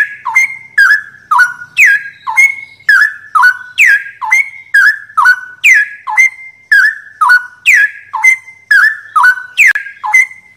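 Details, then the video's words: Straw-headed bulbul giving loud, rich, gurgling whistled phrases that dip and rise, repeated about twice a second in a steady run. "Masteran Cucak Rowo"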